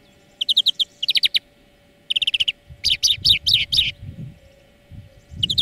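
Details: European greenfinch song lesson for training birds: short bursts of rapid, bright trilled notes, several quick groups of four to six, then a denser twittering run, with a faint steady low hum underneath.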